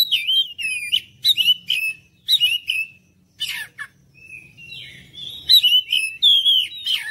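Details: Oriental magpie-robin singing to lure other birds into responding: bursts of sharp whistles and clicks, a quiet stretch with a scratchy note, then a rising run of rich, slurred whistles.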